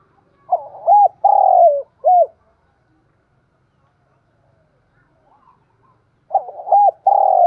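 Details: Spotted dove calling to lure wild doves: a husky three-part coo phrase with a drawn-out, falling middle note, then about four seconds of silence before the phrase starts again.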